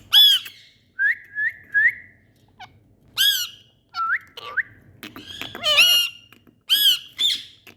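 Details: Indian ringneck parrots playing and calling: a series of harsh squawks and short rising chirps near two kilohertz, some loud bursts with rich harmonics, pauses between calls.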